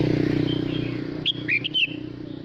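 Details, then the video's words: Male red-whiskered bulbul singing to call the flock: a quick burst of sharp, whistled chirping notes around the middle, over a steady low engine-like hum. "Chào mào trống hót gọi đàn"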